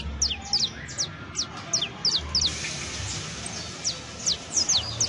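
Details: On New Year's Eve 2022 a canary utters bright, quick downward-slurred chirps, some in close pairs, spaced unevenly, over a faint low background rumble.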